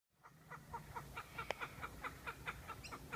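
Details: Kookaburra chicks squawking in Noosa, Sunshine Coast, Queensland, Australia, as an adult brings a caught lizard to feed them: harsh, rasping squawks repeated rapidly, about four to five per second, steady throughout, over low background rumble.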